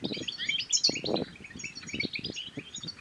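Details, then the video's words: European goldfinch batbata song to prompt singing and mating. Rapid tinkling high notes chatter continuously while louder low thumps and knocks sound irregularly beneath. "بتبتات الحسون بتبتة تنطق اي حسون كان صامت سيغرد"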